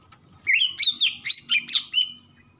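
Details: Greater green leafbird, a young Kalimantan male that has just moulted out of spotted plumage and shows black on the foreneck, delivers a quick run of six bright, slurred whistles, rising and falling, in about one and a half seconds.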